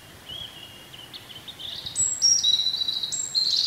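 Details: Wild European robin singing in spring: a thin, high, sustained tone followed by several clear whistled notes that step up and down, each held briefly, over a soft background hiss.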